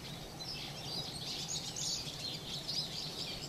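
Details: Bathing flock of wintering Eurasian siskins giving busy, high-pitched twittering calls that overlap continuously, with a steady low-pitched hum underneath.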